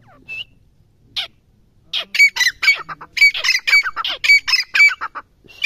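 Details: Grey francolin calling: after a few scattered harsh notes, a loud run of rapid, grating, squawking phrases begins, each with a sharp high whistled accent, repeated roughly twice per second in a quiet setting.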